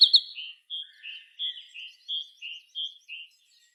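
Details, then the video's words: Afternoon birdsong at dusk in the trees: a short series of high whistled chirps alternating between two pitches, each note separate and evenly paced, on a quiet background. "the sound of birds chirping in the afternoon"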